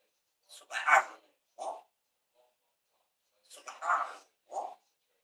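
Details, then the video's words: Parrot imitating speech, saying Allahu akbar: two bursts of clipped, voice-like syllables, each ending in a short separate syllable, with quiet gaps between. "Parrot Saying ALLAH-akbar"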